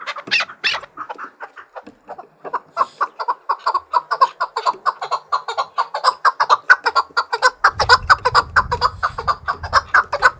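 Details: Fight-trained Chukar partridge singing against rivals: a few sharp notes, then a long run of rhythmic chuk-chuk calls that grows louder and faster, about two per second, with a low rumble near the end.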